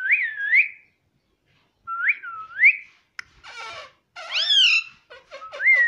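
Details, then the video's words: Talking pet parrot, said to say "Mummy": two looping whistled phrases that rise and fall, then a short click, harsh buzzy syllables, a bright rising harmonic call and a few quick chattering notes ending on a rising whistle. "Talking parrot Mummy Mummy - tota - mitthu mitthu - pattu Parrot Talking"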